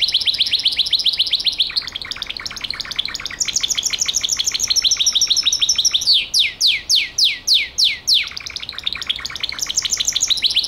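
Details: Song of a Gloster canary: fast rolling trills in long tours, changing to a run of slower, sweeping downslurred notes midway before returning to dense high trilling.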